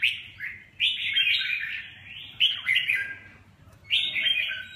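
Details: Red-whiskered bulbul giving three loud, liquid warbled phrases, each about a second long, separated by brief quiet gaps.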